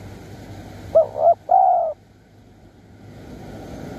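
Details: Over a steady hiss, a wild spotted dove in Surat Thani, Thailand, calls during decoy luring at Bang Bai Mai. It gives a single phrase of two brief hollow coos and then one prolonged low coo.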